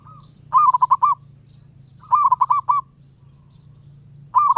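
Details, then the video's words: Zebra dove in the wild, calling restlessly: three loud bursts of rapid, rolling cooing notes, each a tight string of five or six beats, spaced about one and a half seconds apart over a constant low hum. "Burung perkutut Liar gak mau diam."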